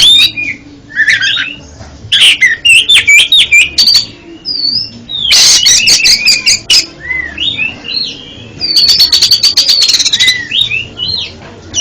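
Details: Long varied song of an oriental magpie-robin (kacer) used as therapy for stuttering birds: jumbled twittering whistles, several loud bursts of rapid rasping notes, and high trilled runs between gentler slurred phrases.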